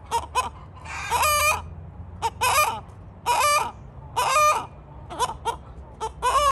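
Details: Rooster giving loud, raspy clucks in rough bursts, a few clipped double notes between longer harsh calls, roughly one per second over a faint low hum.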